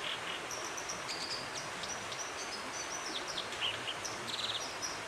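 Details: Dippers singing in Dovedale, Britain, in October 2017: a run of thin, high whistled and scratchy notes, some short trills, repeated throughout over a steady broadband rush of flowing stream water.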